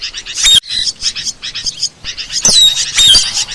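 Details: Asian glossy starling in a master track for luring: choppy high chirps with a brief gap, then a burst of thin descending whistles and squeaky chatter toward the end.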